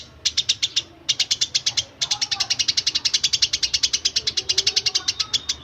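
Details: Tree sparrow song used as training material for magpie robins and green leafbirds: crisp, high chirps repeated steadily in quick succession, broken by two brief gaps, then a long even chirping series.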